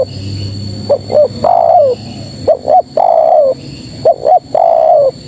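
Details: A female spotted dove calls for males, giving three phrases. Each has two quick upslurred coos, then one long mellow coo that sags slightly at the end. A faint steady hum sits in the background.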